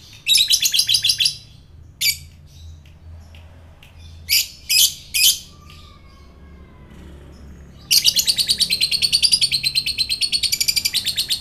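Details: Lovebird sound for provoking fighter lovebirds, opening with a quick chattering burst, a few loud sharp calls in the middle, then a long fast run of repeated high notes.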